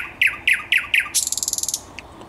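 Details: Thrush nightingale song recorded 10 May 2021: four loud, rich, down-slurred notes spaced about a quarter second apart, then a fast, clicking rattle of about a dozen notes.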